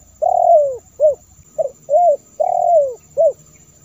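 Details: Spotted dove call used as a lure for wild doves: soft low coos, a long drawn phrase falling at its end, then short notes, the pattern repeating twice; steady faint high whine in the background.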